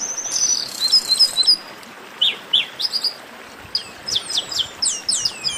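Chestnut-capped blackbirds sing a busy, high chatter of sharp chirps and quick downward-slurred whistles, several notes per second, over a faint background hiss.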